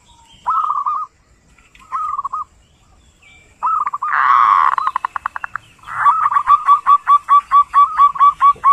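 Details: Zebra dove (perkutut) in ngerot-style song: separated low cooing phrases, then a loud rolling burst breaking into rapid pulses, and finally a long, steady run of evenly spaced short coos, about two per second.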